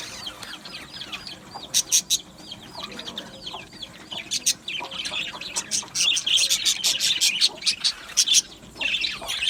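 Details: Aviary budgies give soft, looping warbles at first, then quick, sharp clicking chirps repeat rapidly as the chatter grows louder and denser.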